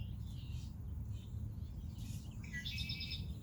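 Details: Red-winged blackbird on the beach at Rehoboth Beach, Delaware, giving a rasping, buzzy trill in the last second, with faint chirps earlier and constant low surf roar beneath.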